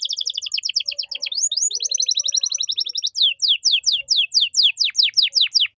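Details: Canary song used as masteran, luxurious cengkok for tutoring caged songbirds: a dense fast trill of paired notes, a brief upward slur, more rapid trilling, then a slower series of loud downward-sweeping whistles.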